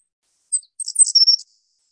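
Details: Savannah Sparrow, Chicago area, singing from the top of dead foliage: a couple of very high, thin introductory chips, then a quick run of sibilant notes ending in a high, buzzy trill, all in about a second.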